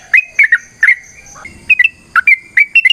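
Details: Sooty-headed bulbul giving an energetic, long, rapid song used as a lure: a few loud liquid whistles and a brief pause, then a fresh burst of bright, slightly rising notes.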